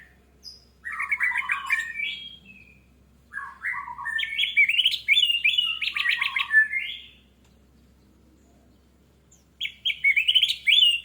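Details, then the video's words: Orange-headed thrush in full song, used as a lure to spur singing: three loud bursts of dense, scratchy warbling mixed with clear whistles and mimic-like notes, separated by silent pauses. "PANCINGAN ANIS MERAH MEMICU CEPAT BUNYI DAN GACOR!"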